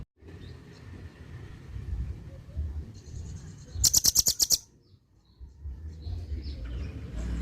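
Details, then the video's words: Harsh call of the velvet-fronted nuthatch, kept for tutoring songbirds in Indonesia: one fast run of about seven piercing, high clipped notes midway, preceded by faint chirps and low background hum, then quiet. "RAMBATAN PARUH MERAH,SUARA KASAR"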